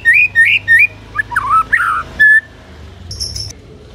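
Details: White-rumped shama singing to goad other shamas into reply: three bright whistled notes, then lower slurred warbles and a short flat whistle, ending in near quiet with a faint high buzzy note.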